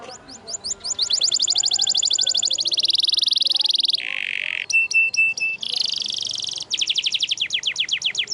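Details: Canary tutor song, F1 SF type: rapid rising trill phrases that run into a rolled buzzy stretch, a lower nasal tone, ringing metallic pips, then fast repeated slurred notes over faint background murmur.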